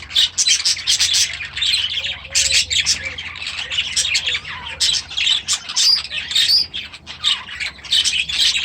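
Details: Budgerigars hatched last year, now in their new aviary; loud dense chatter with squawks and chirps in rapid bursts, several birds calling at once.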